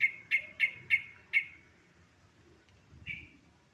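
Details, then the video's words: Yellow-vented bulbul sound used as a lure to get other birds to sing quickly: five short, clear bright notes about every third of a second, then a pause and one softer note, over faint low background rumble. "Suara pancingan burung trucuk agar cepat Garuda"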